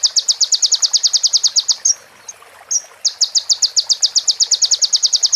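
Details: Sunbird, called konin, recorded as song material for training birds: quick high staccato notes repeated in long even runs, with a brief gap holding two faint whistles.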